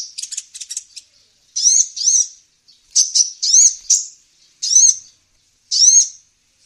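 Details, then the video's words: Luring call of the olive-backed sunbird, meant to attract wild birds. Quick high chatter opens, then arched, sweeping squeaky notes come in pairs with short gaps. "Pikat burung kolibri ninja ampuh"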